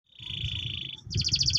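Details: Orange canary of the Loper line performing roll tembak song: a long, steady, pure whistle that breaks abruptly into a rapid pulsed trill.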